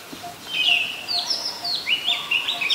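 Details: Oriental magpie-robin, a common resident, recorded in Ubon Ratchathani, Thailand, on 24 December 2020 with a Nikon P1000; clear whistled song phrases that slide and jump between notes, with faint low notes repeating in the background.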